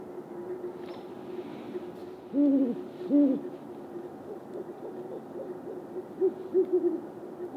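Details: Great horned owls, a male and female calling back and forth with territorial calls: two deep, resonant hoots stand out, followed by softer, low hooting notes over a faint background hiss.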